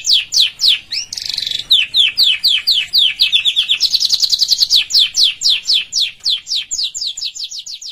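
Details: Canary singing for training: regular high descending chirps about four per second, a short harsh buzzy phrase, a fast rolling trill, then more repeated clear sweeps to the end.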